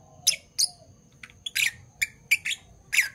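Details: Two Fischer's lovebirds, parblue violet and parblue turquoise, in the morning give loud shrill chirps about every third of a second, some slightly buzzy and drawn out.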